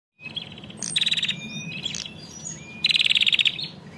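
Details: A female bar-winged prinia, used to stimulate males to sing, gives two bursts of rapid, high, clicking notes, about eight per burst, with thinner whistled chirps in between.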